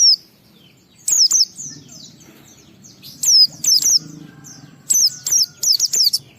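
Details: White-eye singing to stimulate other white-eyes: bursts of two to five piercing high descending whistles, with quiet gaps and a soft low rumble underneath.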